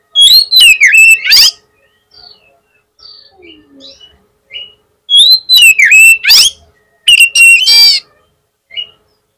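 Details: Oriental magpie-robin lure song aimed at getting a rival magpie-robin to answer quickly: two loud bursts of rapid, varied whistles and sharp slurs, separated by soft, scattered chirps.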